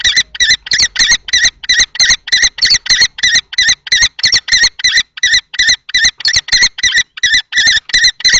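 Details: Common kestrels at a nest box in Théding, France, 20 March 2024, two males fighting, an older adult and a juvenile-plumaged one, over the box and a female: a fast, harsh, regularly repeated series of shrill notes, about three per second.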